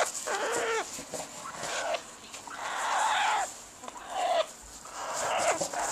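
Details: A female Salvin's red-lored Amazon, about 20-some years old, in breeding season and thought to be nest building, gives harsh, nasal squawks in four bursts over six seconds, some ending in short wavering whistles, when her owner touches her.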